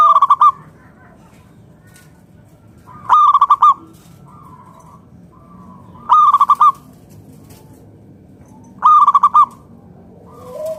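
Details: Local wild-stock zebra dove singing to lure other doves into song: four loud staccato coo phrases roughly three seconds apart, with faint drawn-out coos from other doves in the pauses.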